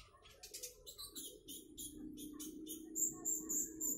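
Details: High, thin chirping from a konin trotol bird, with quick repeated notes and a steady low hum underneath.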